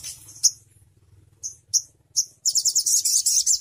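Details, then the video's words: Crimson sunbird giving several sharp, high, thin chips spaced irregularly, then breaking into a sustained rapid, bright trill of quick repeated notes; a faint low hum underneath. "Suara Burung Sogon Ontong Bikin Yang Lain Ikut Gacor"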